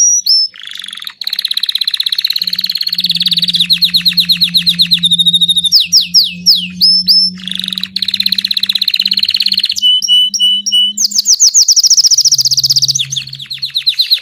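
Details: Belgian king canary (Serinus canaria) singing nonstop, high and bright, switching every second or so between fast rolling trills, buzzy runs and sharp whistled notes, over a faint low hum.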